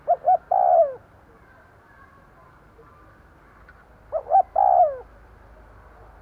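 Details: Spotted dove used as a lure for wild doves. It gives two full cooing phrases about four seconds apart, each two short notes and a drawn-out falling coo, and begins a third phrase at the end.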